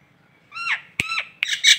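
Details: Nias hill myna, a local Indonesian bird used for masteran song-tutoring: three loud, rough, nasal squawks with rich overtones, each sliding downward, delivered in under two seconds against a quiet background.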